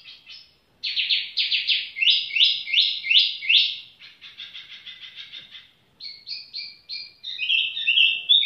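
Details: Energetic tiểu mi song: a string of loud, rhythmic falling notes, a softer rattling trill, then bright whistled phrases rising and falling, delivered almost without pause.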